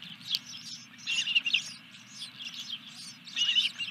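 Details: Osprey nest on 14 July 2021 around 21:23 during a fish delivery; rapid high chirping in three louder bursts, softer chatter between, steady low hum underneath.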